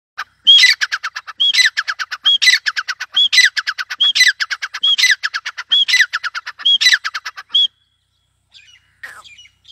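Grey francolin calling loudly: about eight harsh phrases, each a sharp high note and a fast metallic rattle, repeated roughly once a second.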